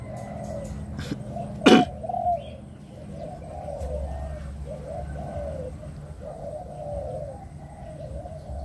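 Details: Caged pigeon cooing: a run of low, husky coo notes repeated in a steady rolling series, with a sharp knock near the start and faint background hum.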